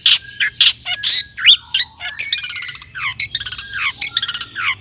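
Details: Long-tailed shrike song rich in imitated phrases, used as a lure for other shrikes: a varied jumble of harsh notes, whistled slurs and quick trilled chatter, with rapid stuttering runs in the middle and near the end.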